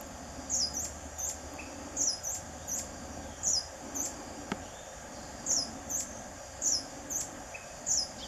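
Buff-bellied Hermit giving thin, very high squeaky notes, singly or in pairs, about every half second to a second, over a quiet background hiss.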